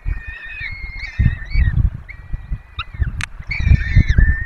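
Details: Peregrine falcons at a webcam nest in the Barycz Valley, Poland, feeding four chicks: long even wailing notes with downward-bending ends, a few sharp clicks between, over muffled knocking.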